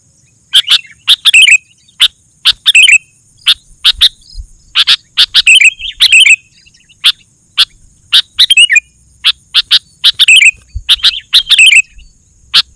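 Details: Sooty-headed bulbul song meant to make other bulbuls respond: sharp clicky chirps alternating with short rolling whistled phrases, repeated steadily.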